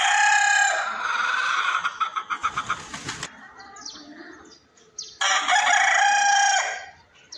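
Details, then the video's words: Rooster crowing: a long loud harsh crow at the start, a rapid clucking or flapping burst, quieter noise, then a second long crow near the end. "Rooster Crowing voice"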